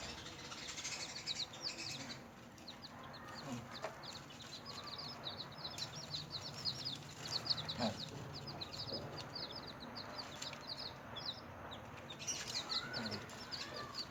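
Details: A group of newborn chickens cheeps constantly during feeding and play. Dense, shrill, falling peeps overlap one another throughout, with occasional knocks and bumps beneath.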